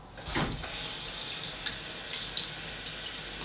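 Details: Running water from a tap splashes steadily into a sink, with a few faint clinks and no animal voice.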